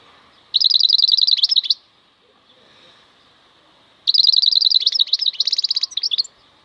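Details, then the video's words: Wild European goldfinch (maknine khalwi) singing: two bursts of rapid, high, evenly repeated twittering notes, the first about a second long, the second longer and more varied, separated by a quiet pause. "MAKNINE KHALWI super chant"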